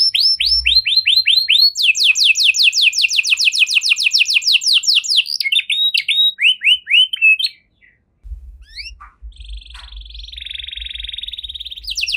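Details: 'Cengkok mewah' canary song: curling swoops, a fast rattling trill and slurred phrases, then a short pause and a quieter, steady, buzzy trill with faint low rumble behind.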